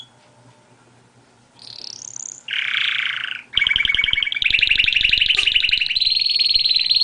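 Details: Song of a canary: a rising sweep and a harsh buzzy note after a quiet start, then long rapid rolling trills that step up in pitch toward the end.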